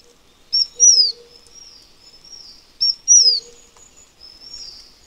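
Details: Two high, thin phrases from a Taiwan fulvetta, slightly distant, about two seconds apart. Each pairs a short note with a downward-gliding whistle, trailed by softer drawn-out notes and a faint low hum.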